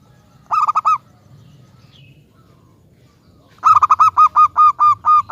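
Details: Zebra dove, a local bird used as a lure bird to make other doves sing, gives a short run of four bright coos, a pause, then a longer phrase of about eight clipped, ringing notes.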